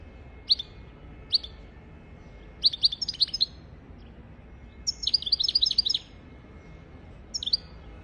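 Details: European goldfinch song as a tutor for goldfinches and canaries: scattered single high chirps, then two bursts of rapid, jangling twitter with buzzy tones, and a final lone chirp over faint steady background hiss.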